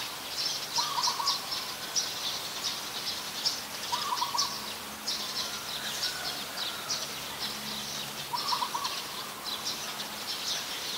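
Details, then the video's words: Coppersmith barbet in Ubon Ratchathani, Thailand, 2 January 2021, a very common resident; brief mellow pulsed notes repeat at irregular intervals over a loud shimmering insect drone and a faint low hum. "นกตีทอง : Coppersmith Barbet"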